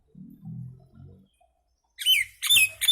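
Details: Little common myna making noise: after a low soft rumbling, three loud raspy squawks with falling whistled sweeps break in close together.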